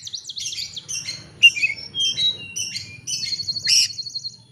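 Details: Oriental magpie-robin singing to challenge a rival, used as a lure to prompt another bird's full song: rapid tumbling sequence of high whistled and chattering notes, ending in a long trilled high phrase, with faint low rumble beneath.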